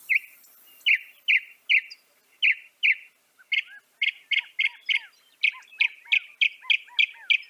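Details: Northern mockingbird (Mimus polyglottos) singing: a high chirped note repeated about six times, then a switch to quicker, sharper notes, each phrase type repeated several times in a row before changing.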